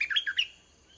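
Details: Caged red-whiskered bulbul used as a decoy against wild birds; a brief, fast burst of three or four sweet, slurred whistles that fades quickly into silence.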